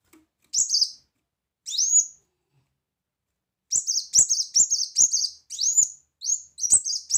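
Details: Brown-throated sunbird in full chattering song with loud 'shot' phrases, used as tutor song: two single upswept high whistles, then a long run of quick, sharp, thin chips.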